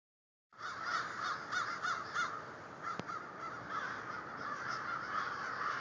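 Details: Many crows calling together after a brief silent start, a dense chorus of harsh overlapping caws, several louder nearer calls pulsing through the first two seconds, then a steady continuous din.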